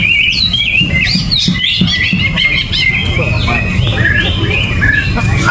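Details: Greater green leafbird, with no banana and no cage cover, delivers gerabakan song: looping whistled slurs and short upward sweeps in a steady flow over low background noise.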